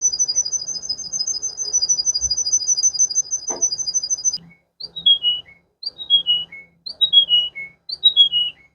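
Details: Water canary singing: a rapid high trill of repeated notes for about four seconds, then a series of short descending whistled slurs repeated about once a second, with faint low background noise.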